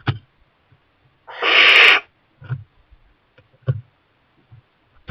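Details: In a kestrel nest box a young barn owl, supplied with mice by its parents, lets out one rasping hiss of under a second amid scattered soft knocks and scratching.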